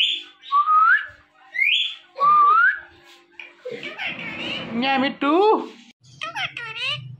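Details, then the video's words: Talking parrot giving loud rising whistled slurs, three in a row, followed by raspy speech-like chatter and quick wavering squeaky phrases, with a faint low hum in a small room. "Talking Parrot"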